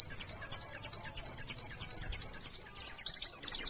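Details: White-eye (pleci) song in the long 'nembak sejaluran' style, used to train other white-eyes in Indonesia: quick, bright repeated chirps that grow denser and more jumbled toward the end.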